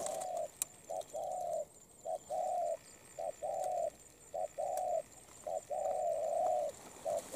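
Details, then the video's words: Moulting wild-caught spotted dove cooing fluently, praised for good voice and delivery: low husky coos alternating short and long notes, about seven phrases run closely together. "Bổi Đồng Pha tốt tiếng , liền lẹ , bài khá , gù tốt"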